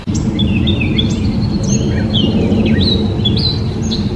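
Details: Gray Catbird (Dumetella carolinensis) delivering a few clear slurred whistles and downward squeaks, loud and close, then a rising chirp, all over a heavy low background drone.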